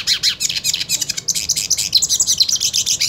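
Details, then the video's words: Purebred hooded siskin wanting to fight another hooded siskin: three seconds of dense, rapid high twittering, a steady stream of buzzy chirps repeated several times per second. "Cabecita Negra Canta Y Quiere Pelea / Pintassilgo Quero Lutar"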